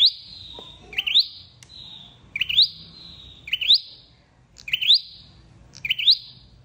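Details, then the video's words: Flowerpecker call recording meant for luring birds into traps. Five or six bright upswept chirps, each trailing off in a fading high whistle, come at slightly uneven intervals over a faint low background hum. "Tiếng chim sâu đầu đỏ đi bẫy"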